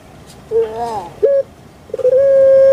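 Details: Captive puter pelung dove: a wavering rising note, a short clipped hoot, a pause, then the start of a long, steady, level coo.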